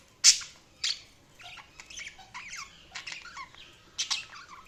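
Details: Budgerigar flock sound: two sharp loud squawks at the start, then softer warbling chatter of quick gliding whistles and scratchy notes.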